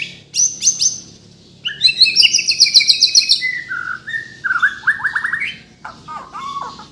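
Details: White-rumped shama from Kalimantan, Borneo, in energetic full song packed with varied phrases: high sharp chips, rapid rattling trills, buzzy repeated notes and lower slurred whistles, several bursts.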